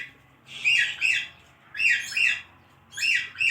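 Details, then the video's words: Parrot kept as a pet talking in three raspy, two-syllable phrases spaced about a second apart, sharp and high, against a soft low hum. "Talking Parrot"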